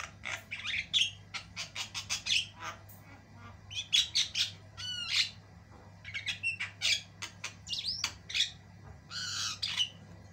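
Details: Javan myna with white eyes singing vigorously and at length, meant for tutoring songbirds: quick strings of scratchy notes, rattles and sweeping whistled squeals, almost unbroken, with a constant low hum in the background.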